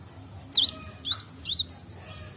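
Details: Gelatik Batu, the cinereous tit, learning to sing and just managing ngombyok; five or six short whistled notes sliding up and down in quick succession.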